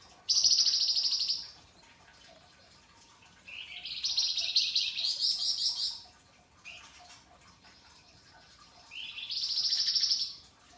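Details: Pied triller, used as a masteran tutor recording, singing actively with rough rasping and sharp crystal-toned phrases: three harsh, buzzy bursts that rise then hold high, each lasting one to two and a half seconds, separated by short pauses.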